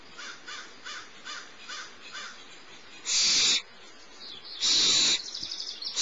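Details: Smallest barn owl chick being fed by its mother at Starr Ranch, 6 March 2011, morning; soft rhythmic clicking pulses about every half second, then two loud, harsh hissing screeches, each lasting half a second, trailing into chatter.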